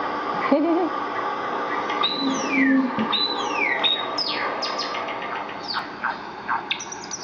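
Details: Seven-week-old Java sparrow chicks reacting to Java sparrow videos on a computer: bright chirps and descending slurred whistles, some in quick runs, over a few lower tones.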